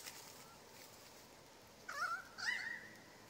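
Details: A laughing kookaburra gives two short, harsh, rising squawks about half a second apart over faint outdoor hiss, as two of three resident kookaburras fight in a thicket while magpies watch.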